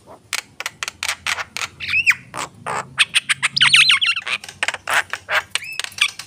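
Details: Javan myna song mixing staccato clicks and ticks with wavering whistled phrases and a brief warbling trill, delivered in a fast, varied stream.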